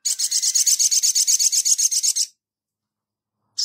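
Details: Sogon (crested jay) in full active song, giving a fast, dry, metallic rattle of about four pulses a second that runs for two seconds. After a pause, another harsh burst begins.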